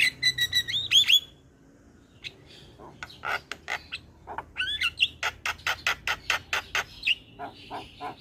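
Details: Starling (jalak) recorded as a lure to prompt starlings that stopped singing: whistled upslurred notes open, then a pause and a steady series of sharp, clicking, harsh notes with occasional bright whistles, repeated about twice a second.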